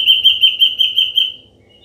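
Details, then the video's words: Ashy drongo, a natural wild recording used as a lure for trapping drongos: a fast run of about ten clear, even whistled notes at one steady pitch, fading out after a second, over quiet background. "SUARA BURUNG SRIGUNTING ABU ASLI SUARA ALAM"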